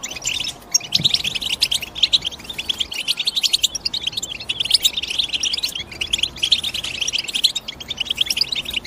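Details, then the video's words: European goldfinch giving long sequences of fast, jingling chirps and buzzy trills, rising to denser bursts toward the end. "The GOLDFINCH CHIRPING SOUND Nobody Tells You"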